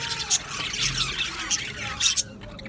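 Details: Male budgies in a colony aviary, 8 December 2025: a rapid stream of high, scratchy chirps and squeaks, several birds at once, with brief louder peaks.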